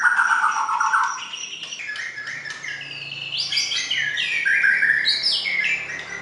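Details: White-rumped shama song, clear and long: a fluty opening warble, then a fast string of bright whistled slurs, rising and falling, repeated about four times per second with a faint background hum.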